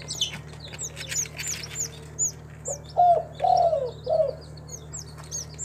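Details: Spotted dove from a kept collection of local tekukur in Timika, Papua, Indonesia: after several seconds of sharp high chirps from other birds, a single low three-part coo with a long descending middle note.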